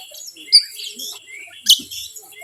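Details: Kacer, the Oriental magpie-robin, singing as a lure to provoke rival birds: brief bright whistles and thin trills with two loud sharp notes, one early and one past the middle.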